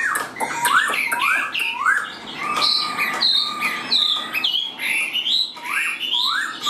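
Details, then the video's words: Tame caged Chinese hwamei in full song while hand-carried, loud varied whistles with repeated upward-sweeping slurs, bright high notes and sharp clicks mixed throughout. "Chim Họa Mi Hót Đỉnh Cao, Thuần Sách Tay Hót"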